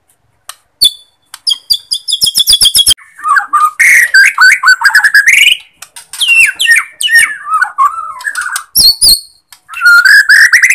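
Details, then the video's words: White-rumped shama of the Borneo type, used as a lure to rouse shamas that are low in aggression or have stopped singing: sharp clicks, then rapid repeated high notes, then rich rolling whistles and slurred phrases rising and falling, with loud tonal bursts near the end. "Pancingan Murai Kurang Emosi ||👍 Murai Batu Borneo || Rumped Shama"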